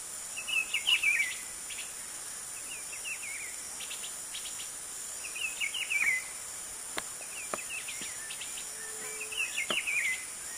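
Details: White-lined tanager in Brazil calling in short bursts of slurred, descending chirps, repeated about every two seconds, against a constant high insect drone with a few sharp clicks.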